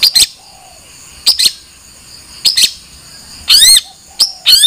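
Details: Long-tailed shrike giving paired sharp clicking notes at roughly one-second intervals, followed by loud harsh sweeping calls, with a soft low falling whistle between them.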